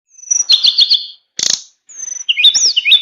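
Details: Tame captive flowerpecker singing a full fill-in song in flute-like style: high thin whistles, a quick repeated twittering phrase, a short burst of noise, then sliding whistled notes and chirps.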